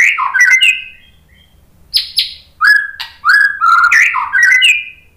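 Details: Pancingan lure song of a white-rumped shama, meant to provoke shamas into singing. It holds varied chattering phrases, a buzzy burst and a series of bright whistled slurs.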